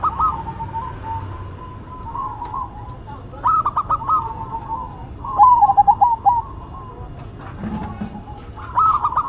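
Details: Local and cemani zebra doves sing in duet, a sequence of bubbly stuttered coos and rolling trills in several phrases, with a faint low hum behind.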